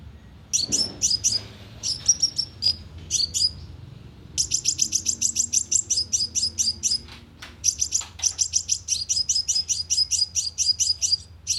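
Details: Lively sunbird lure recording for a speaker trap: long, dense trains of high metallic chips, some runs of more than a dozen notes, with a brief lower rustle near the start and steady background hum.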